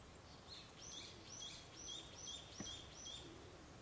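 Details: Narcissus flycatcher (Ficedula narcissina narcissina), an East Asian flycatcher about 11 cm long, sings a run of about six clear, high, slurred whistles, roughly two per second, over a low steady background rumble.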